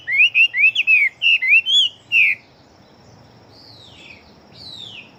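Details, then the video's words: Chinese hwamei of fighting stock, a fast singer, giving about ten loud, rising whistled notes in quick succession over two seconds, followed by quieter drawn-out slurred whistles. "Họa Mi Chiến Siêu Mau Mỏ Bộ To Hót Tốt Mẫu Gột Chiến."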